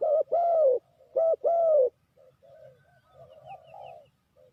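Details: ['Spotted dove call from a decoy bird used for trapping: two loud, low coo phrases, each a short note followed by a drawn-out falling coo, then softer, quieter cooing trails off.']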